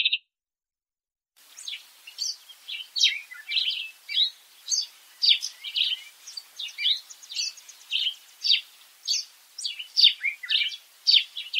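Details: Sparrows in Africa chattering together in a busy flock, a dense stream of overlapping sharp chirps and twitters with no pause, after one brief opening chirp.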